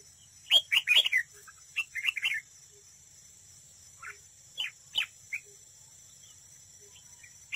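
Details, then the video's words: Decoy red-whiskered bulbul singing at a trap in a singing contest. A few quick, warbled phrases open the recording, then sparse single chirps follow with long pauses. "Cận cảnh chào mào mồi đấu bẫy, hót đấu"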